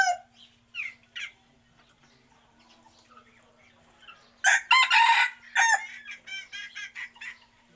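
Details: Chicken sounds: a few short rising squawks, a quiet stretch of faint clucks, then a burst of loud strident crowing and rapid repeated harsh calls. A faint low hum runs throughout.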